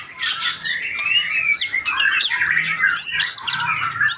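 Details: Young male white-rumped shama kept in a cage in Indonesia, a pastol, giving a dense stream of scratchy chatter mixed with clear whistled slides and sharp high clicks, loud and unbroken throughout.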